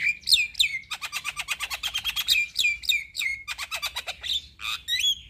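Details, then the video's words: Caged Javan myna in full gacor song, played to coax quiet or stressed mynas into singing: dense, fast clicking chatter mixed with loud downslurred whistles, ending in harsher squawky notes. "Terapi Jalak Kebo Malas Bunyi / Jalak Kebo Stres Gak Mau Bunyi - Pancingan Burung Jalak Gacor"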